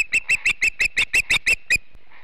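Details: Female osprey at a Montana nest chasing an intruder that was not another osprey, 3 August 2016: ten clipped, piping whistles in a quick, even series, then silence.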